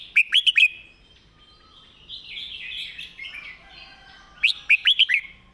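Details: Red-whiskered bulbul delivering a quick, repetitive master song: a rapid run of four bright slurred whistles opens, then a pause filled by soft warbling chatter, then another run of four or five whistles.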